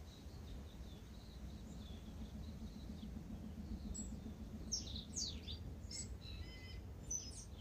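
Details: A tūī waking before sunrise in Manawatu, New Zealand, gives faint, high notes in its second half, quick falling sweeps and a short whistled phrase, not yet a full song, over a steady low rumble.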